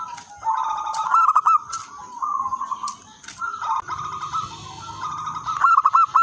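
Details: Zebra dove song from local birds, used as a lure and master for other zebra doves: rolling, bubbling coo phrases separated by short pauses, a few looping accented notes, with a low rumble midway and a high hum.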